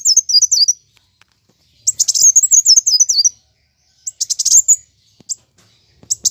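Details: Plain sunbird giving a fighting song, a recording meant to prompt kept birds to sing: rapid bursts of high, thin twittering notes, a wavering trill stepping downward, with short silent gaps between phrases.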